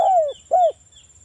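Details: Two falling, rounded coos from a local spotted dove, used to provoke other doves into answering, the first longer than the second, with a faint high whine behind.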